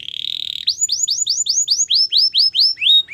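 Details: Singing Belgian canary, recorded for song training: a brief fast trill, then a steady series of rising-then-falling whistled swoops repeated about four times a second, bright and clean against a quiet background.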